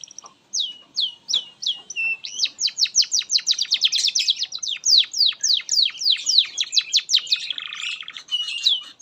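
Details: Canary song used as a master recording for training young canaries: long, fast series of bright rising-falling chirped syllables, roughly three per second, building into a dense rolling trill with a brief buzzy passage near the end.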